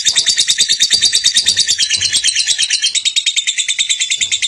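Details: Lovebird of the competition (juara) type singing: rapid, dense high-pitched chirps repeated about three per second, shrill and continuous throughout, with faint low clicks beneath.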